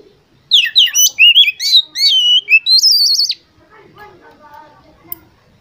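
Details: Lure recording of Oriental magpie-robin song meant to stimulate contest birds: one fast burst of varied whistled notes, chirps and a buzzy trill lasting about three seconds, then quieter, lower chattering in the background.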